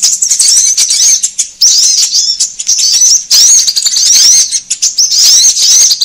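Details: High-pitched sunbird chatter played to attract birds, coming in loud phrases of rapid looping chirps about every second or two, separated by short quieter dips.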